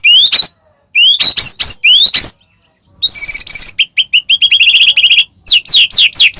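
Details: White-rumped shama, caged, singing to provoke other shamas: sweeping upward whistles, then rapid chattering and trilled series and a run of downslurred notes, all high-pitched and loud.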